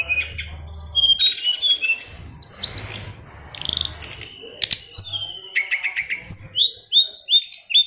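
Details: Oriental magpie-robin, a caged Bali-line fighter bird, delivering a dense, varied song of rapid chirps, trills, buzzy bursts and descending whistled notes in fast strings, with a faint low hum throughout.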